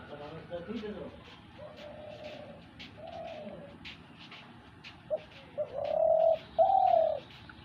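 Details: A dove, called a hunting dove, gives soft, hollow coos. Faint low notes come first, then two louder, drawn-out coos near the end over a light background hiss.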